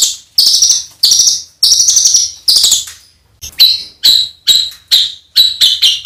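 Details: Songbird delivering rough 'isian kasar' filler material for training contest birds: grating, buzzy trilled phrases give way to a string of short, sharply downslurred notes roughly twice a second.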